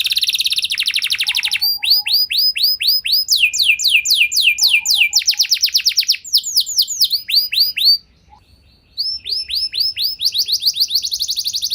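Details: Canary song used as a lure so other canaries sing long and hard. A rapid trill, then a run of varied swooping whistles, a brief silence, and another dense high trill.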